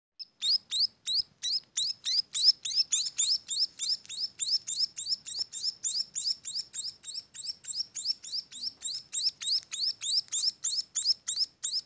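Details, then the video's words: Munia chicks calling in a rapid, steady series of short, high, rising chirps, about three per second, each with a sharp upward-sweeping buzzy edge. The calling runs continuously over a quiet background with faint low hum. "suara anakan burung emprit"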